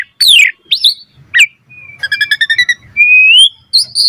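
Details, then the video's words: Singing Asian pied starling, recorded as tutor song so other starlings learn to sing: steep descending whistles, a sharp downslur, a level whistle, a fast rattling series and a slowly rising clear whistle. "Jalak Suren Gacor Full Isian Cocok Buat Masteran Suara Burung Jalak Agar Gacor Full Isian Mewah"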